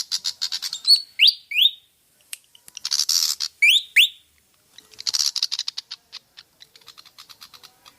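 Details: Pied fantail, called kipasan, on a lure track: rising whistled notes in pairs alternate with bursts of buzzy high chatter and scattered sharp ticks.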